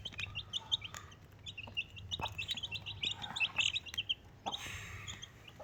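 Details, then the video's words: High, thin peeps from four Desi baby chicks with their mother come in a busy, uneven stream, ending with a hissy rustle. "Desi Chicken 1 Mother Chicken 4 Baby Chicks"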